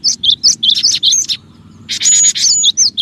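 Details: Lure call of the cinereous tit, known locally as gelatik batu, meant to draw in other birds: a run of quick high down-slurred whistles, then a dense harsh buzzy burst, followed by more clipped falling notes.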